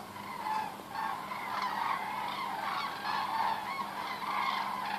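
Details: Thousands of common cranes flying over Osterath, Meerbusch, in many huge waves give loud, rolling trumpeted calls that overlap into a continuous chorus, with faint background hiss.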